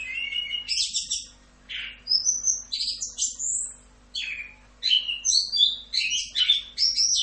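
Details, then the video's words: Orange-headed thrush (anis kembang) singing in the fast, non-stop 'rock'n roll' style for a masteran training recording: varied high whistles and rapid rising and falling slurred notes in quick bursts, with a faint steady low hum underneath. "MASTERAN ANIS KEMBANG FULL Rock'n Roll"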